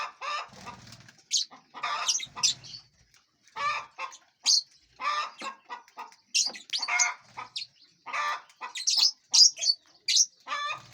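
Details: A flock of lovebirds feeding and flying around a large aviary keeps up constant harsh chatter and shrill high chirps, with rustling and wingbeat sounds between.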